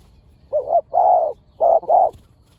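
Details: Spotted dove from a pair of fierce birds during decoy luring. Four mellow, mid-pitched coos grouped in two doubles, the second note of each pair longer, over a quiet background.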